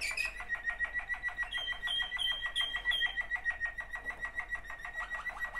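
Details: Waterslager canary song from two brothers: a rapid, regular rolling trill of about three beats a second, steady in pitch, with a few faint high squeaks laid over it.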